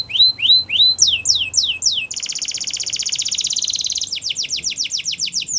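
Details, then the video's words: Canary singing Spanish Timbrado training song: a few falling whistled sweeps, a run of downward strokes, a long dense metallic rattle about two seconds long, then more repeated falling notes. "Canaries Singing In The Wild"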